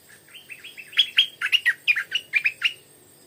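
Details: Stripe-throated bulbul decoy singing in the evening at 4 pm to draw in wild birds: soft rising whistled notes that build into a fast, loud run of bubbly chirps, about a dozen in three seconds.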